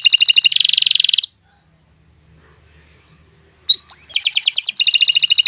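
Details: Canary song meant for tutoring young songbirds: a rapid buzzy trill stops abruptly, followed by over two seconds of near silence, then a rising whistled slur that leads into fresh fast rattling trills.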